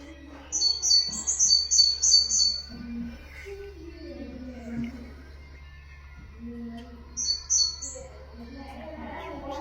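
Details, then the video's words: Common nightingale song, played for teaching goldfinches and canaries: a bright, high run of about five quick whistled notes, then a lone shorter phrase several seconds later, with a man's voice talking low in the gaps. "تغريد طائر الحداد لتعليم طيور الحسون والكناري بدون أخطاء"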